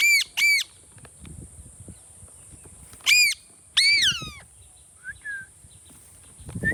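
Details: Talking Indian ringneck parakeet: two rapid harsh squawks, then two more spaced about a second apart, the last one longer and falling, followed by a few soft short chirps against quiet background rustle.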